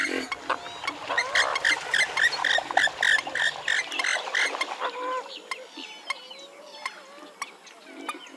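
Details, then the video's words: Western swamphen giving a rapid series of loud, nasal, harmonic cackling notes, about three per second for the first four seconds, then softer scattered calls. Sharp clicks sound throughout. "Western swamphen (Porphyrio porphyrio) Birds Best Call Sound"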